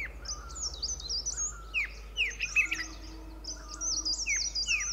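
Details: White-cheeked Bulbul pair sitting on a shrub at Pari Tibba, Motidhar, calling out: sharp falling whistles and twittering high phrases repeated irregularly, overlapping other birdsong.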